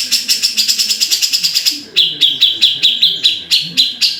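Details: Grey-cheeked bulbul song: a fast run of high, clipped notes, about seven a second, then a slower, lower series of ringing notes.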